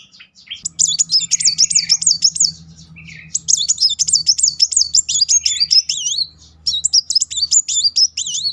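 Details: A Van Hasselt's sunbird fires off successive 'nembak' bursts, a lure for young or stalled sunbirds: three high, rippling trills that rise and fall quickly, with sharp ticks and a faint steady hum.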